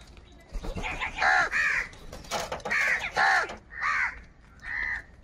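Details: Many crows calling in the morning amid a fight over food: a rapid run of grating, downward-bending caws, nearly continuous, ending with two separate calls.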